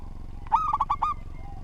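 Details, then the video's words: Local zebra dove from Indonesia, a keen singer whose ordered phrases are used to tutor other doves: one short phrase of about five clipped, hollow cooing notes in quick stuttering succession, with faint low rumble behind. "Perkutut Lokal Gacor Suara Tersusun"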